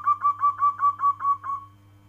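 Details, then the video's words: Single phrase from a local zebra dove: about eight soft, evenly spaced cooing notes in quick succession, steady in pitch, the last one fading out, above a low steady hum. "Suara panggilan perkutut lokal alam kristal"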